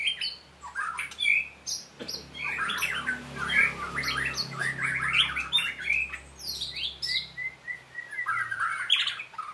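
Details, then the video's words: Trained white-rumped shama singing in bursts: after a quiet start, varied sweet whistles, fast twitters and sharp high chips run in rapid sequence, ending with rising clear whistles over a faint low hum. "murai latihan gacorr"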